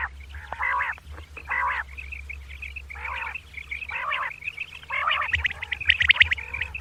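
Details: A female common quail calls at dawn with short nasal, buzzy bursts spaced a second or more apart, then a quick run of sharp high chirps near the end.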